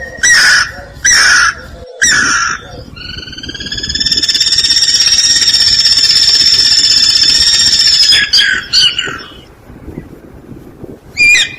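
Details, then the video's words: Guira cuckoo, known in Brazil as anu-branco: several short harsh notes, then one long steady whistled note with stacked overtones lasting about five seconds, followed by more short rough calls. "Canto Anu-Branco"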